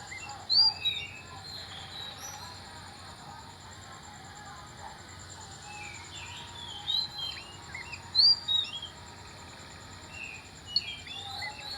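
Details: Oriental magpie-robin singing in the morning: a few scattered, bright whistled notes and short slurred phrases, loudest near the start and around eight seconds, over a steady high background hum.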